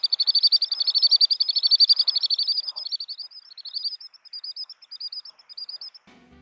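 A common sandpiper gives a rapid, high trilling series of thin piping notes, loud at first, then thinning into spaced single notes; a brief low sound ends it.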